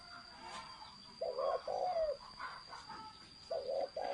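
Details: Spotted dove song in thổ sấm style, paired low coos twice, the second note of each pair sliding down at its end; soft chirps and twitters of other small birds fill the gaps, steady high whine throughout.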